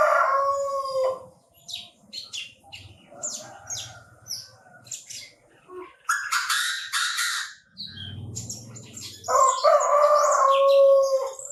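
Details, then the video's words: A Chinese francolin calling, recorded in a bird-trapping setting: two loud, buzzy-ringing harmonic phrases at the beginning and end, with many short high twittering notes from other birds and rustling between them. "Tiếng chim ĐA ĐA gáy"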